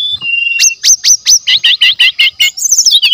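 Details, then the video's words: Genuine forest brown-chested jungle flycatcher singing in natural voice, used as lure material: a thin whistle, then a regular series of sharp upslurred notes and looping chirps, ending in a twittering flourish. "PASTOL HUTAN ASLI JEBOL.!! SRDC GACOR DENGAN SUARA ASLI ALAM, PANCINGAN SRDC MASTERAN"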